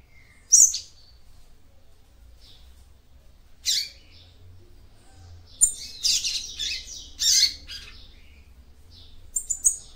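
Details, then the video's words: Female capped seedeater singing to excite the male: a loud sharp chirp, a pause, then clusters of buzzy high twitters and quick chirp doublets toward the end. "CANTO DE FÊMEA PAPA CAPIM PARA ESQUENTAR SEU MACHO"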